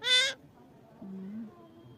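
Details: Talking parrot letting out one brief, loud, harmonic-rich cry at the start, followed by a faint, low, drawn-out sound and quiet room background.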